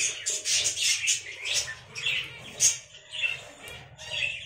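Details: Nesting African lovebirds keep up busy high-pitched twittering and scratchy squeaks, several birds overlapping, with loudness rising and falling irregularly.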